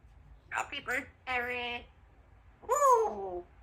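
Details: Symon, a female Congo African grey parrot, practises her words in short, voice-like bursts, repeating learned human phrases.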